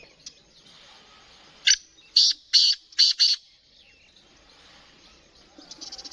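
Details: Black francolin (kala teetar), of the Sheedi line, offered for sale: five loud, harsh, grating notes delivered in quick succession, followed by a quiet background and a faint, rapid ticking near the end.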